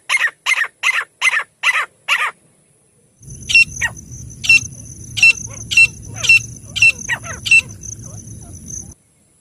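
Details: Partridge (teetar) voice: a quick run of six harsh rasping notes, a pause, then further rasping calls over a rumbling low background noise.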